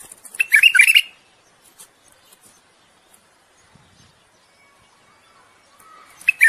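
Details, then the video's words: Bulbul mating song meant to get a female ready to breed: a single lively burst of fluty, tumbling notes in the first second, then near silence with faint ticks and a soft tone at the end. "تغريد بلبل للتزاوج وتحفيز الأنثى على الجهوزية."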